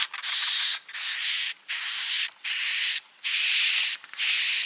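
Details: Klepek-klepek roosting sound of the edible-nest swiftlet, used to lure swiftlets: long, harsh, hissing buzzes with a thin high whistle on top, repeated roughly every second with brief silent gaps.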